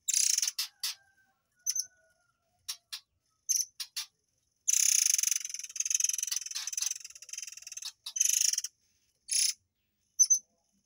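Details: Murai air (air mancur) singing sharp, high 'tembakan' phrases meant for training white-rumped shamas: a run of brief piercing chirps, then a long, dense buzzy rattle lasting several seconds, followed by more clipped high notes and short trills.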